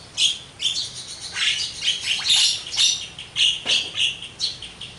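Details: Javan myna, known as jalak kebo, singing energetically with full material: rapid grating squawks and high whistled notes pulsing in quick, uneven bursts.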